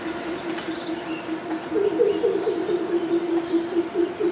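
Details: At Kalwa, Thane, Maharashtra, India, a southern coucal gives a rapid series of deep, hollow hoots, about two per second, rising out of a steady low hum with faint background noise.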